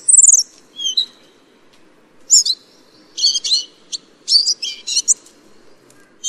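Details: Ferruginous flycatcher giving scattered bursts of very high, sibilant chirps and buzzy squeaks, separated by short silent gaps, some notes clustered in quick pairs and triplets. A soft low background murmur throughout.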